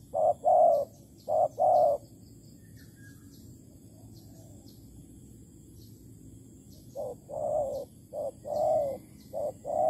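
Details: At a Malaysian bird trap baited with bare bait, 11 August 2020, a spotted dove gives paired low coos, falls silent for several seconds amid faint hiss, then resumes a run of short and longer coos.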